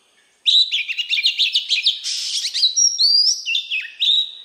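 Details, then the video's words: A captive oriental magpie-robin sings a rich, fast run of sweet whistles and chattering notes, with clear rising and falling phrases near the end; no other sounds. "Chòe Than hót Giọng chuẩn"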